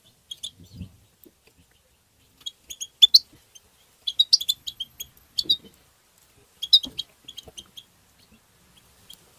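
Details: European goldfinch tbtba singing: short scattered groups of thin, high twitters and chips, separated by quiet gaps, with a faint low thump near the start.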